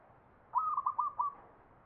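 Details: A zebra dove (perkutut) sings a ngepat-style Mataram pakem phrase from Jogja: about five quick, hollow coos run together at one pitch, the last drawn out slightly, over light background hiss.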